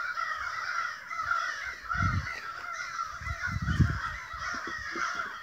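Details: Dozens of crows calling at once, stirred up by an unknown cause: a dense, harsh, unbroken chorus of caws, with bursts of low rumbling wind or handling noise.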